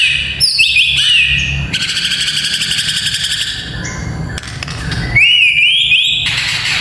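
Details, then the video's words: White-rumped shama song played to train young fighter males: high varied whistles and rapid buzzy trills, with a looping rising-falling whistled phrase near the end, over a steady low hum. "Murai Batu Fighter - Suara Ini Melatih Mental Fighter Murai Muda"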